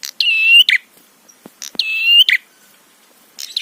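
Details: Prinia lure song meant to provoke rival prinias: a rasping note introduces a long, bright, rich tone that climbs slightly, then a buzzy ending. The phrase repeats twice, with a third starting at the end.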